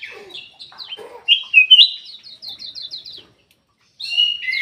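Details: Golden-fronted leafbird singing soft chips before a loud slurred whistle. A quick series of about eight evenly spaced high notes follows, then silence, then another whistled phrase.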